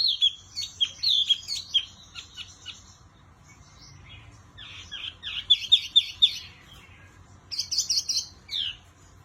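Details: Wambi Mini bird singing actively in bursts: quick chirpy high notes and short slurred whistles, pausing near the middle, then a dense run of sharp tweets and a final buzzy flourish, over a faint low hum.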